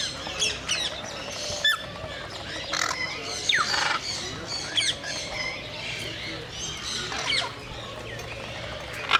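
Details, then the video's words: Scarlet macaws, natural sounds: harsh, raspy squawks, several overlapping in quick irregular bursts, over a steady hum of background noise. "Scarlet macaw Natural sounds"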